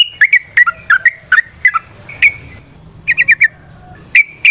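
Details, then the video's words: Yellow-vented bulbul (trucukan) singing in the ropel variasi nrotok ngecuplik style, used as a lure to get other birds singing: short sharp whistled notes near one pitch, paired and dipping, in quick bursts with brief pauses, then a fast run of four notes. "Suara Burung TRUCUKAN gacor ROPEL VARIASI NROTOK NGECUPLIK"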